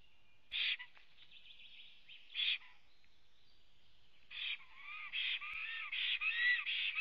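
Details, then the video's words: Black stork at its nest in Latvia, webcam recording, morning of 23 June 2017: two isolated hissing bursts over a faint whistle, then a quickening run of raspy pulses and arched whistles. "Melnais Starkis ~Ozols arrives and sings~"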